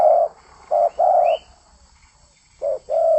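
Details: Spotted dove singing energetically, with clear long hollow coos and shorter coos. A faint high rising note is heard between them.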